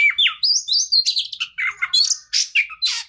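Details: Oriental magpie-robin song used as a lure to make a stressed bird start singing: a fast run of varied whistles, sliding slurs and harsh chattering notes, high and bright, tumbling in quick bursts.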